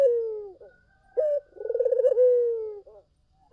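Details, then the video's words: Collared dove song used as a lure to draw other doves into answering: a rolling, pulsed coo that slides down, then a short upward note and a long smooth descending coo, all low and mellow. "SUARA BURUNG PUTER GACOR! 100% pancingan ampuh,puter kamu pasti katut"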